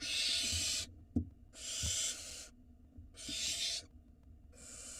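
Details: Hungry barn owl nestlings in Israel greet the male bringing dinner with rapid, long rasping hisses, four in five seconds, plus a few knocks.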